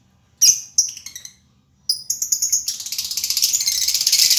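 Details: Lovebird giving a loud squawking chirp followed by a short stuttering series, a pause, then a fast, rhythmic chattering trill that grows steadily louder and denser.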